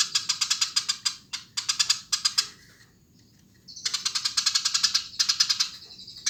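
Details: Lively singing from a Eurasian tree sparrow: quick series of scratchy, metallic chirps grouped into short bursts, a brief silence midway, then a longer rattling run.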